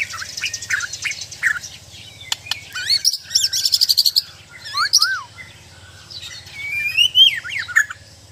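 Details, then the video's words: White-rumped shama, a Bornean murai batu kept for mental training, pouring out a varied song: sharp high chirps, a fast burst of buzzy repeated notes, then looping slurred whistles and rising sweeps, with faint background hum. "Indahnya suara dan gaya burung murai batu"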